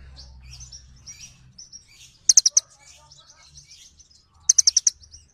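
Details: Soft, thin twittering from little birds gives way to two loud bursts of sharp, high chirps, first three notes, then five.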